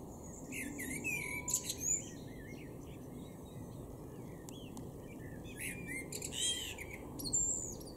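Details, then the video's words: Male Common blackbird in a garden in Weener, East Frisia, far northwest Germany, April 2022, sings short mellow warbled phrases breaking into high squeaky twitters every couple of seconds, with small birds chirping and a low rumble behind. "Amsel (Männchen)"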